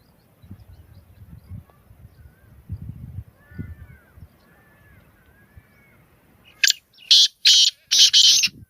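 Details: Black francolin (kala teetar) call: after soft thin chirps from other birds and low background noise, a sudden run of four loud, grating, evenly spaced notes bursts out over about two seconds.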